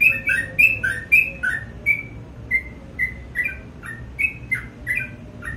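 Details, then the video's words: Morning singing of a sooty-headed bulbul: quick whistled phrases mixing a high slurred tone and a lower falling tone, rapid at first, then more spaced, over a low steady background. "BURUNG TRUCUK GACOR DI PAGI HARI"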